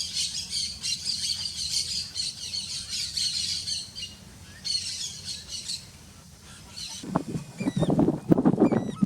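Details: Trio of free red-legged seriemas sunning in the wild, bursting into loud, harsh yelping notes near the end, rising and falling in a rapid chorus over a steady hiss of high, buzzy background chatter.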